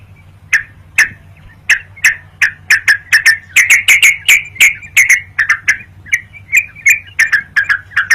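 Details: Vigorous yellow-vented bulbul song meant to provoke rivals and lure birds; quick sharp chirps speed up into a steady run of bubbly notes, with a low hum underneath.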